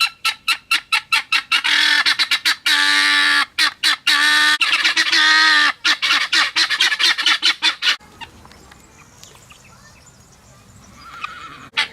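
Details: Farm guineafowl in Hérault, France, giving a vigilance call: rapid runs of short, harsh cackling notes around long grating, rasping calls for about eight seconds, then quiet farmyard background with a faint final squawk.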